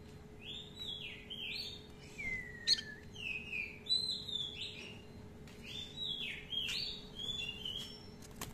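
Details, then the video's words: Oriental magpie-robin, a kept songbird, heard at moderate volume in a lure song meant for training other birds: sweet slurred whistles, some falling and some rising, in loose phrases with short pauses and occasional sharp clicks, against a steady faint background hum. "Pancingan Kacer Gacor ROLL Panjang-Panjang, Dan Lagu Isian Banyak"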